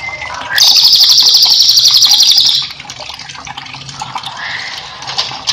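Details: Cililin in full song for training cage birds: a sudden high, rapid rolling trill lasting around two seconds, followed by softer scattered chirps, with flowing water audible underneath throughout.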